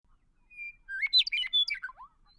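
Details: Western meadowlark (Sturnella neglecta) song: a clear whistled opening note, then a rich, flute-like jumble of gurgling phrases tumbling downward in pitch over about a second.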